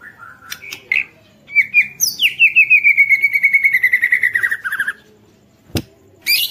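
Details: White-rumped shama song used to make other shamas sing: whistled notes lead into a long rapid trill gradually falling in pitch over about three seconds, then brief harsh high notes.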